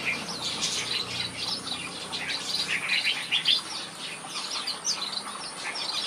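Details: Red-whiskered bulbul, also called crested bulbul, caged in a bird aviary, singing and playing: a busy run of bright chirped and whistled notes, many rising or falling, tumbling on without pause over a faint steady high hum.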